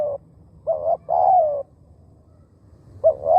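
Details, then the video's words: Decoy spotted dove singing to attract wild birds. It gives a short coo, a rounded coo and a long, downward-sliding croo. After a pause a new phrase starts with rising doubled coos. "เสียงนกเขาใหญ่ต่อ หมาน ๆ นกป่าเข้าไว"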